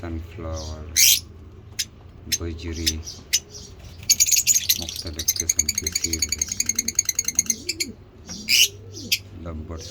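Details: Lovebird ngekek chatter from African lovebird mutations during feeding: sharp shrieks, then a fast run of pulsed, buzzy chirps lasting about three seconds, and more single screeches, over low cooing background.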